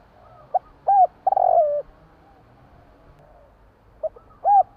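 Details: At night a spotted dove gives a soft short note, a rising-falling coo and a drawn-out descending coo. After a pause the pattern begins again, with nothing else heard against a still background.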